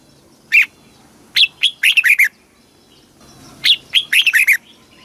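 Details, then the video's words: Southern master-style song of a caged Red-whiskered bulbul from Thailand, used to stir caged birds and teach young birds; two phrases, each opening with a single loud whistle followed by a fast tumbling series of four or five notes. "เสียงนกกรงหัวจุก สำหรับต่อ หรือ เปิดให้นกคึก"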